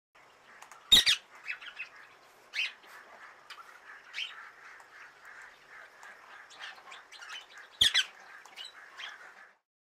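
Rose-ringed parakeet giving loud, harsh screeches, three main bursts spread over ten seconds, over steady chattering from other birds.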